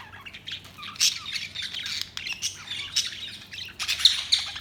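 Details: Budgerigars chirping: dense, scratchy high chatter with short squawks and warbles overlapping, louder bursts near one and four seconds, steady low hum beneath.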